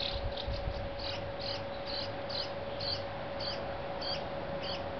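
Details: A juvenile Brown-headed Cowbird being fed by a Dark-eyed Junco begs with high, thin chips about twice a second, over a steady low hum and background rumble.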